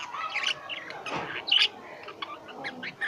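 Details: Pet lovebirds giving shrill, high chirps in loose bursts, a few louder squeaks standing out, with gaps of quieter twittering between.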